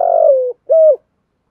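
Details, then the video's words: Spotted dove in the 'giọng thổ' style, cooing to provoke rival males. A long mellow coo slides slightly downward, then after a short pause comes one firm, even, shorter coo, followed by silence. "Tiếng chim cu gáy giọng thổ giọng hợp bổi/ cu gay kich boi nhanh noi gù"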